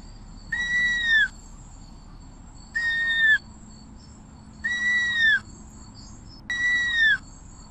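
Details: White-necked puffbird (Notharchus hyperrhynchus) song: clear, slightly falling whistled notes, each under a second long, repeated about every two seconds over a faint background hum.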